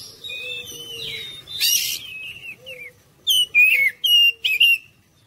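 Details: Oriental magpie-robin song used to coax other birds into singing: soft wavering whistles and a harsh rasping burst, then a quick series of loud clipped whistled notes near the end.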